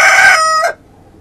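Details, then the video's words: Rooster crowing, one of two birds, a red and a speckled rooster; the loud harmonic tail of a crow, held steady then dropping away sharply after under a second into quiet. "dos gallos cantando"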